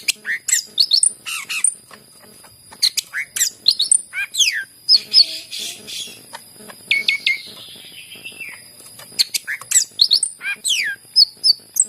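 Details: Greater green leafbird singing, played to prompt reluctant birds into song: sharp rising and falling whistled notes and quick chips in clusters, one longer slurred descending whistle, over a steady high electronic hum.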